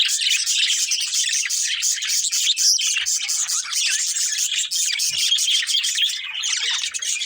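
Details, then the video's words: Budgie breeding pair giving continuous fast chattering warble, bright scratchy chirps packed closely together at a steady, loud level throughout. "Cute Colourful Budgies Chirping Sounds"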